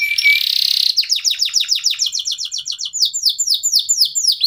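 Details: Local canary singing as a lure to set other songbirds off: a brief buzzy opening, then a long run of rapid downslurred notes, about four per second, turning to upswept phrases.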